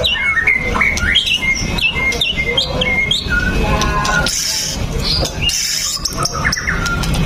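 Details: White-rumped shama pouring out continuous lure song to prompt other shamas to sing: quick chattering upslurred notes and whistles, followed by softer scattered high phrases over background noise.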